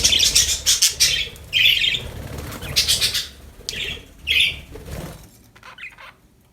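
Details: Happy budgies chattering with rapid, grating warbles and buzzy chirps in quick overlapping bursts, loud for five seconds, then fading to faint trailing notes.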